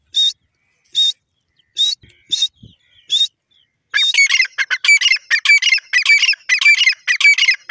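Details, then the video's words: Grey francolin, locally called teetar, calling: five short, high, sharp notes spaced about a second apart, then a loud, hurried series of harsh, repeated notes tumbling over one another to the end, in an otherwise quiet setting. "teeter bird sound,grey francolin bird awaz"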